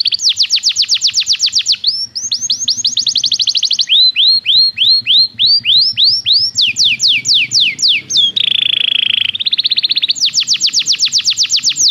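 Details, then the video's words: Belgian canary training song: a loud, varied sequence of high phrases, fast downslurred trills, rolling upswept notes, a brief harsh buzzy section near the end, then a rapid trill again, changing pattern every two or three seconds. "O canto do canário belga fascina muitas pessoas - o melhor treinamento para canários"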